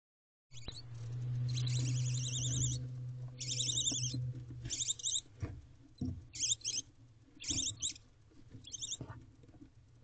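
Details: Wild female barn owl in a nest box tending her new hatchling before dawn, 4:26 am on 5 April 2023: short raspy hissing bursts repeated at irregular intervals, over a low steady hum and faint rustling.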